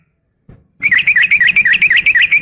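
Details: Female yellow-vented bulbul calling to a male: after a soft lead-in, a fast, steady stream of loud, bright chirping notes, roughly six per second.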